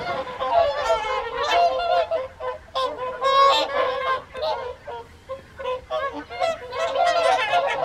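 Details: A flock of whooper swans at the evening feed, Folly Pond, Caerlaverock, January 2023; choruses of trumpeting honks come in surges separated by brief quieter gaps.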